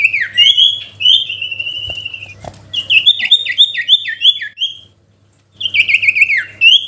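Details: Sooty-headed bulbul in varied song meant to call a rival: sustained high whistles, a series of quick repeated downslurred notes, silence, then a fast warbled phrase.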